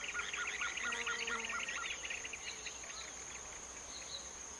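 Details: Planalto Tyrannulet (Phyllomyias fasciatus) in São Mateus do Sul, Paraná, Brazil, calls a quick run of high, thin notes fading into scattered chips, over a steady high insect whine and faint lower bird calls.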